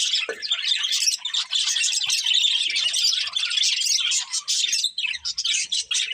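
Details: Chirping from a colourful breeding pair of budgerigars: rapid high warbles and tweets, thick at first, then breaking into short choppy bursts with gaps toward the end.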